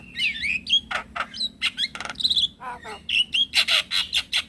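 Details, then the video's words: Male Javan myna calling to draw other mynas and starlings to answer; wavering whistles open, then clipped rasping notes, a rattling burst and a series of bright repeated whistled chirps. "Semua Jenis Burung Jalak Akan Langsung Nyaut dengar Pancingan Jalak Kebo Jantan"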